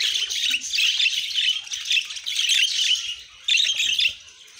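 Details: Budgerigar chatter in a steady, dense stream of scratchy high warbles, ending in a brief loud burst followed by quieter chirps.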